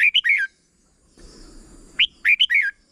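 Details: Red-whiskered bulbul, short 'berb' style teaching song for young birds: two bright, bubbling phrases of liquid whistles, split by a brief rustling noise.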